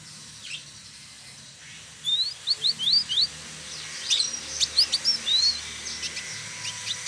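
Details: Male village indigobird (trotol) singing actively in Bandung, West Java, Indonesia: two bursts of thin, high, rising whistled slurs, quick and jerky, separated by a short pause, with a faint hum behind.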